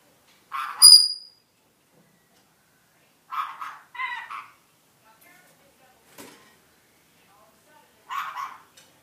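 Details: A pet rainbow lorikeet mimics iPhone ringtones (Boing, Duck, Robot, Sci-Fi): four short, chattering, electronic-sounding bursts, one opening with bright high whistled tones, spaced a few seconds apart with a faint click between.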